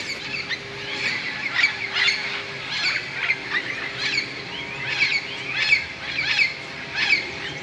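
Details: Flock of tens of parrots settling into tall bamboo beside a golf course at Moka, Trinidad, at evening roost time; harsh, scratchy squawks repeated irregularly, roughly one burst each second, many birds calling over one another.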